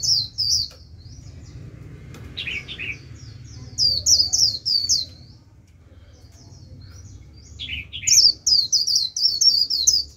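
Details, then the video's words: Japanese white-eye decoy drawing a wild flock that sings back in líu: high twittering bursts broken by lower slurred double notes, a quieter spell, then a dense run of sharp chirps. "Vành khuyên mồi gọi bổi cực tốt, bổi đến cả đàn, bật líu theo."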